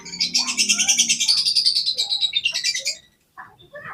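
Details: Oriental magpie-robin song used as a lure to provoke other birds into singing: a loud, rapid run of buzzy, repeated high notes for about three seconds, then silence and a few faint soft notes.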